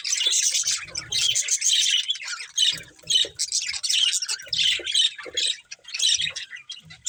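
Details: Budgerigars in a family flock give dense, harsh squawky chatter, phrases running together with brief dips every second or so and a low background hum.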